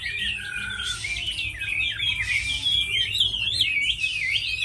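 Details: Captive Chinese hwamei kept for fighting, singing a loud, continuous flow of looping whistled notes and rapid trills with sharp upward flicks, faint low hum behind.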